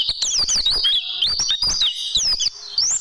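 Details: Oriental white-eye singing in a training recording for caged birds: continuous high, sweet twittering with looping up-and-down whistled notes and short pauses.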